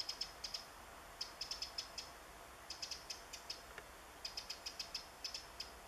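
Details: Eurasian wren foraging for insects in the woods, recorded 27 July 2014, gives clipped, hard tick calls in clusters of three to six, separated by short silences, over a quiet hissing woodland background.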